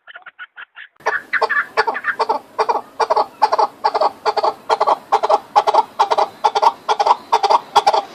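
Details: Chukar partridge: a few soft, thin notes open the sequence, then loud, throaty chuck calls follow in rapid, fairly regular succession over a low background hiss.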